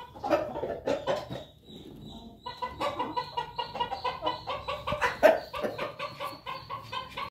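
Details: Pelung chicken recorded on 18 May 2024: rapid clucking calls repeated several times a second, sharp and harmonic, with a short quieter pause early on before the clucking resumes steadily.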